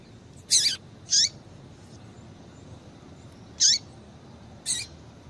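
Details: Female Double-collared Seedeater (coleiro) calls, used to stimulate males to sing: four short, sharp, high notes, each sliding quickly downward, in two pairs at irregular intervals over a faint, steady background hiss.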